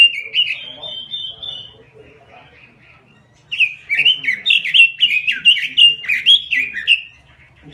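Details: A robin, described in Indonesian as singing vigorously, gives a long slurred whistle, falls quiet for about two seconds, then bursts into a rapid, bright warbling phrase of looping whistled notes lasting some three and a half seconds.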